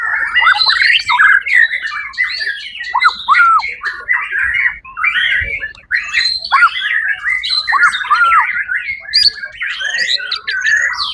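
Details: White-rumped shama, first prize at a songbird competition on 1 October 2023, sings a sustained torrent of looping, slurred whistles and chattering notes, strongly rhythmic, with only a couple of short breaks.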